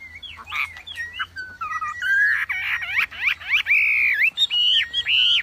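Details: Wambi singing a mix of clear whistles and slurred notes, starting sparse and building into loud, sustained warbling phrases with rising and falling inflections.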